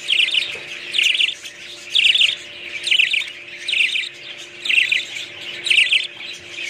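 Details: Budgerigar calls: bright, scratchy chirp bursts repeated roughly once a second over a soft background of flock chatter.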